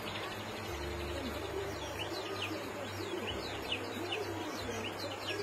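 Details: Young canary in training to sing, from a local practice of kenari muda song lures: a steady run of quick high chirps and short down-slurred notes repeated throughout, over a constant low hum and faint murmuring background.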